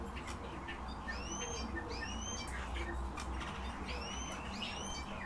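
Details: Eurasian bullfinches giving clear, upward-sliding whistles, about five or six over the stretch and spaced roughly a second apart, above a constant low-pitched rumble of background noise.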